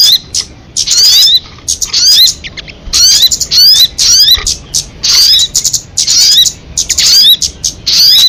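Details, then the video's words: Crested jay repeating harsh, buzzy bursts with short rising and falling whistles, about nine distinct groups with clear silent gaps. "Suara MP3 burung sogon kamade"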